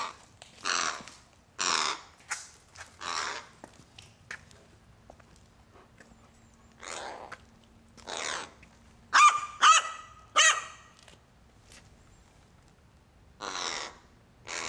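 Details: Crows squabbling over snacks, one quick bird snatching every treat fed to the other, which trails it waiting for a dropped morsel; short harsh rasping caws in irregular bursts, some with a thin tonal edge, in a quiet setting.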